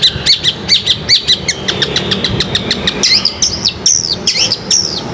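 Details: Long-tailed shrike training recording for silent birds: rapid, uneven chips and clicks run for about three seconds, then give way to sweeping, twisting high whistled phrases.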